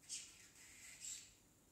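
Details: Baby male parrotlet kept at home, early talking attempts like "tickle tickle": two soft, hissy high squeaks about a second apart.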